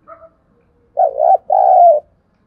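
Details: Spotted dove kept as a decoy, calling to excite wild birds: a faint short note, then one strong coo phrase, broken double hoot followed by a long steady purring coo.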